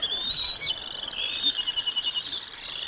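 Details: Bald eagles at the Decorah North nest on 05 06 2022, as lunch is brought to the eaglets; thin, high-pitched chirps run almost without a break, slightly wavering, over faint background hiss.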